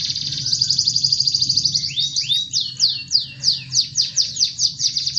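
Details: Continuously singing canary, used as a lure for canaries that only chirp: a high rattling trill, then clear downward-slurred notes repeated roughly three times a second.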